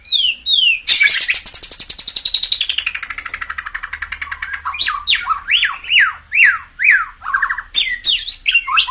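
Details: Song of a white-rumped shama for stimulating birds: two short rising whistles, then a long rapid trill that slowly drops in pitch, followed by a string of loud swooping, falling whistled notes.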